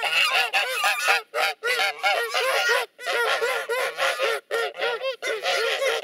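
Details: Guarding geese driving away potential enemies with loud aggressive chatter: repeated bursts of harsh honking from several birds, each burst a second or so long, separated by short silences.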